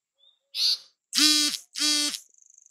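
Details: Bay-backed shrike of South Asia uttering three harsh, nasal, buzzy notes about half a second apart, the last two strong and rich in overtones, followed by a brief fading trill.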